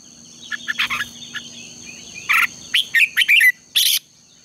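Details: Red-whiskered bulbul singing in competition, used to train birds and spur them to sing in the morning: soft rapid chips give way to loud bubbling, slurred phrases and a final harsh burst, over a persistent high-pitched drone.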